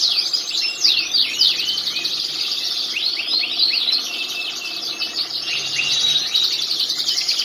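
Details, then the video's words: Master-song recording of a canary used for training, singing continuously: fast high-pitched trills, repeated swooping chirps and buzzy rolling phrases in an unbroken run with no other clear sounds. "mantap ampe miring" bunyi terus.... Masteran canary"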